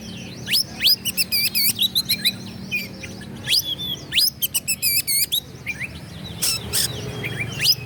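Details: Song of an Oriental magpie-robin meant to make rivals react: rapid, varied phrases of rising sweeps, stuttering trills and chattering notes. It is loud and nearly continuous, with a short pause near the end.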